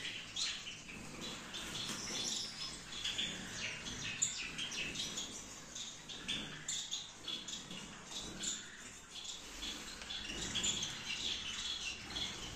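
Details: Gouldian finches in a breeding aviary setup in Peshawar, a busy flock chorus of thin, high chirps and short tweets overlapping continuously, with no clear pauses.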